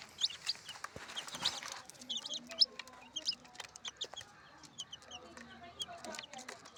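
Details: Several colorful chicks chirping: rapid, thin, high peeps tumble over one another, denser at first and then thinning out, with scattered tapping clicks and a soft low murmur beneath.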